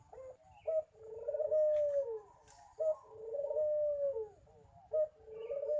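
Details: Local dove (puter) still learning its cooing song (manggung): low, mellow coos, each opening with a short higher note and sliding into a long steady hum, the phrase repeated about every two seconds over a faint indoor hiss.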